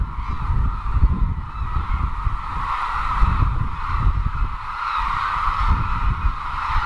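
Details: Large gathering of cranes at their wintering site in Izumi, Kagoshima, Japan, calling continuously as one massed, trumpeting din that swells and fades slightly, over a constant low rumble.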